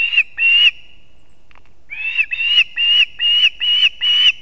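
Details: Latvian osprey nest in Kurzeme, early morning, 3 September 2024, as the male brings two fish to his chicks. Loud drawn whistles, each rising then falling, repeated roughly twice a second after a short silence.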